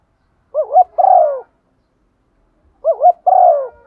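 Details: Female spotted dove, used as a lure, repeating the 'thúc gù' coo twice about two and a half seconds apart. Each phrase is a wavy double note then a drawn, gently falling coo over silence.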